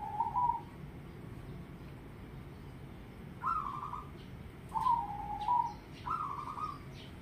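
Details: Cooing from a zebra dove: a soft opening phrase, then a run of three rolling, mid-pitched coo phrases in quick succession, each a slightly trilled note that starts sharply and fades, over a low steady hum.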